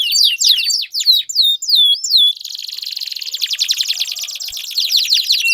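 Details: Canary singing in a lure recording meant to prompt a canary that has stopped singing: first a string of separate sharp, down-slurred whistles, then a fast buzzy rolling trill that pulses on to the end.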